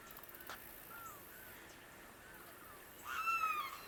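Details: Limpkin in Florida's freshwater wetlands: faint, drawn-out calls early on, then a loud, harsh, wailing call with rich harmonics, slightly falling and lasting about half a second, near the end over a quiet, hissy background.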